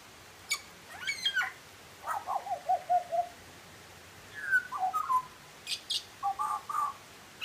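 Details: Butcherbird singing: varied fluted whistles, some sliding down from high notes, others short warbled phrases in the mid range, delivered in bursts with brief pauses.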